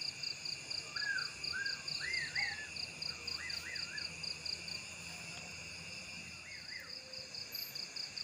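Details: Unidentified strange bird calling from a treetop after sunset, hidden by darkness: wavering, warbled whistled phrases rising and falling in short bursts, repeated irregularly over a steady pulsing night chorus of insects.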